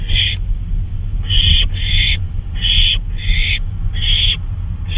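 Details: An owl flying about in the night, 2:39 AM, May 26, 2013, gives harsh hissing screeches, about six half-second bursts at uneven intervals, over a continuous low-pitched rumble.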